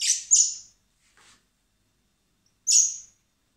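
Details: Common blackbird nestlings being fed by hand in spring at a wildlife rescue centre, ahead of release; a quick pair of shrill high squeaks, a soft rustle, then another shrill squeak.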